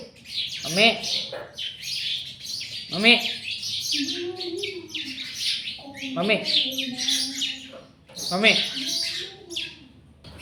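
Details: Talking pet ring-necked parakeet saying "mummy" again and again: scratchy, high chatter and rising harmonic yelps repeated roughly every two seconds, with lower hummed tones between phrases.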